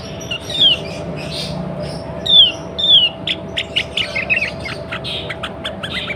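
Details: Female sooty-headed bulbul in breeding condition, calling to prompt males to sing: short, thin, descending whistled notes at irregular intervals, with scattered clicks and a steady low hum behind.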